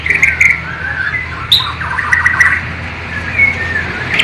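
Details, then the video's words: Caged white-rumped shama from Borneo, East Kalimantan, singing mimicked phrases of a flycatcher and nightingale; varied whistled notes around mid-high pitch with short sharp chips, steady low hum underneath. "MURAI BATU BORNEO ISIAN " SIKATAN LONDO / NIGHTINGALE ""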